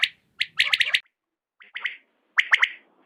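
A quail gives three bursts of quick, sharp chirping notes, each burst a tight cluster of clipped, mid-high calls. Nothing else is heard.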